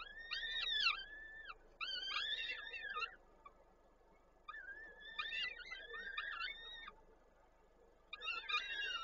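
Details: Wild peregrine falcons at a nest in Koszalin, Poland, on 13 May 2022, as the male arrives with prey and the female feeds the chicks; harsh, arched, wailing calls come in bursts of two to three, with short quiet gaps between.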